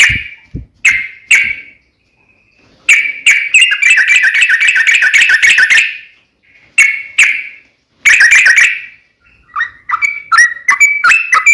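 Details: Sooty-headed bulbul singing energetically: separate sharp whistled notes, then a long rapid chattering run lasting nearly three seconds, more single notes, and finally a string of quicker falling whistles.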